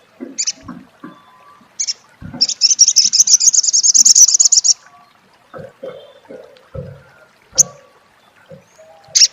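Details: Olive-backed sunbird (sriganti, sogok ontong) in crecet style: a few sharp high chips, then a rapid buzzy trill of even high notes lasting about two seconds, with soft low background knocks and murmurs.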